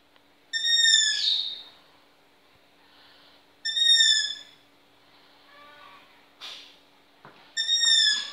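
A young long-eared owl gives three high, squeaky, slightly falling screeches about three seconds apart, with a few faint knocks and rustles between them.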